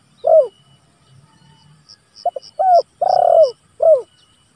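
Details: Spotted dove used as a lure and training recording, calling out rivals: a falling coo, then a phrase of quick hoots, a long warm coo and a downslurred closing note, with soft insect ticking.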